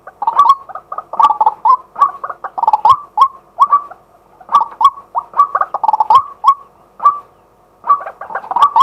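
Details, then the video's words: Male White-breasted waterhen calling in daytime, recorded live with a set-up camera: long sequence of harsh, rhythmic croaking phrases, bursts of several notes broken by short silences. "เสียงนกกวัก ตัวผู้ ต่อกลางวัน"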